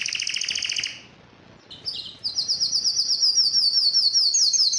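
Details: Yellow canary delivering a buzzy double-pitched trill, falling silent for a moment, then launching into a long, very rapid, high rattling trill that grows louder.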